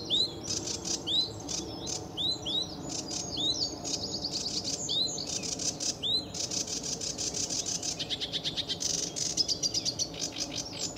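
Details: July 2013 early morning at RSPB Fowlmere: a sedge warbler mixes repeated squeaky down-slurred phrases with buzzing chatter, ending in a very fast rattling trill.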